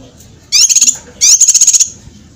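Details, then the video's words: Training master song of cucak kinoi for contest birds: two brief, fast rattling bursts of high shrill notes, faint low background hum between them. "suara masteran cucak kinoi, masteran tajam untuk burung lomba"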